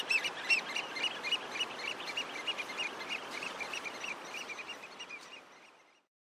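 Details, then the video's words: African oystercatchers giving loud, piping flight calls, several birds overlapping in quick, shrill repeated notes over a steady hiss of surf. "African Oystercatchers' flight call"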